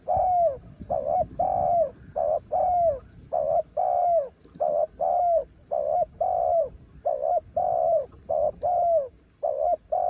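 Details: A spotted dove, called a mountain bird, delivers ต่อกิ่ง-style song: steady, mellow coos repeated about every half second for ten seconds, short notes alternating with longer, falling, drawn-out ones, and nothing else clearly heard.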